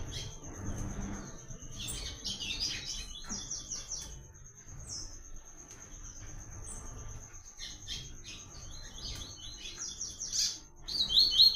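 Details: Coleiro seedeater from the caatinga giving "Tui Tui" song phrases meant as a training reference: scattered clusters of fast high chirps across the recording, with a sustained thin whine and faint low background noise.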